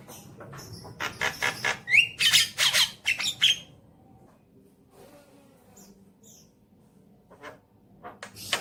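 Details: Javan myna singing as a lure for a pet bird: a burst of loud harsh squawks and rising whistles in the first few seconds, then near silence with a few scattered clicks and notes.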